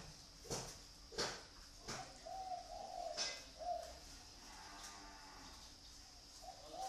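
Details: Zebra dove raised by a bird keeper in Ba Vì, Hanoi, Vietnam. One gentle phrase of quick, rolling coos comes midway, with loud wooden knocks before and after it.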